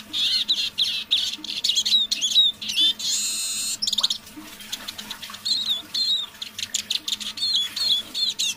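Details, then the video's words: Evening song of a caged decoy Eurasian siskin, now singing more fully: rapid high twittering and thin whistles in tumbling runs, broken by a drawn-out buzzy wheeze, then more chattering trills. "Песня моего манного чижа"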